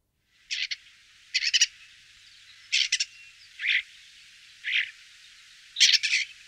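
A common starling gives six harsh, rasping bursts, some doubled or stuttered, spaced about a second apart against a quiet background.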